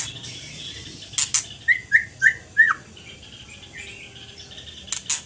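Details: Scarlet minivet singing: a run of four clear, down-slurred whistled notes at a quick even pace, framed by sharp dry clicks before and after.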